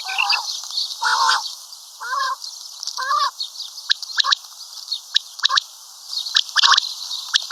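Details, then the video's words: Common quail calling: short nasal, harmonic-rich notes given in a loose series about a second apart, then a run of sharp clicking ticks, over steady background hiss. "Common Quail Calling|Batair Ki mote Awazay| Karkari Batair Ki Awaz|Maadi Batair Ki Awaz|Quail sounds"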